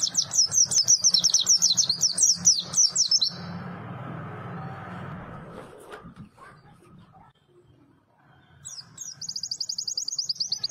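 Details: Melodious white-eye song, a small bird with a fiery voice: rapid high zigzag twitters pour out for three seconds, a long lull with low hum follows, then a second quick chattering phrase starts near the end.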